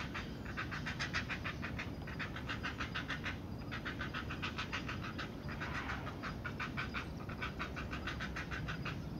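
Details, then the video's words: Growling of Great Blue Heron chicks in a nest around feeding time: fast series of harsh pulsed notes in bursts of a second or two, separated by short pauses, over a constant low rumble. "More beak biting, growling and feeding"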